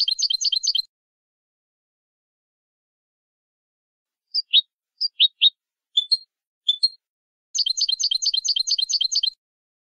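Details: Canary in Malagueño song style, a training recording: bursts of fast repeated trilled notes separated by silence, with scattered single chirps between bursts.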